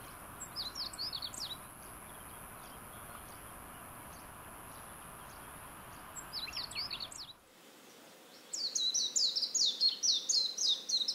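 Warbling white-eye giving high, rapid twittering phrases, repeated over and over, soft at first and then a louder, denser burst after a brief pause, over steady background hiss.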